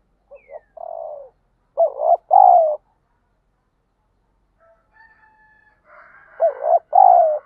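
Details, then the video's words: Spotted dove being trained daily as a fighting and lure bird, giving clear, low, throbbing coos in grouped phrases with a longer falling final note. A faint thin whistle is heard in the pause. "chim cu gáy thúc đấu, tiếng chim cu gáy kích bổi rất lẹ nổi, tiếng chim cu gáy luyện mồi hàng ngày"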